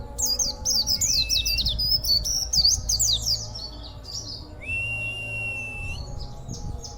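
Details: Oriental white-eye, a local kept contest bird with an unusual, rarely heard song, possibly learned from auri and monty white-eyes: rapid high twittering and zigzag chirps, then a long steady level whistle, with low background hum.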